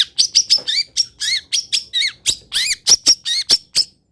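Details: Long-tailed shrike, local Pati type, in a master recording of its song fill: a rapid, loud string of squeaky notes mixed with rising slurred whistles, about four notes per second, with no other sounds.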